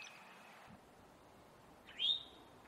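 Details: Male Eastern towhee giving an alarm or warning call: a single sharp, rising slurred note that sweeps upward then levels off, heard once near the end over faint background hiss.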